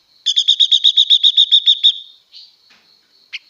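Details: Song of a female blue-winged leafbird, used to stir up a male: about thirteen quick pulsed notes at a steady high pitch packed into under two seconds, followed by a few faint scattered notes.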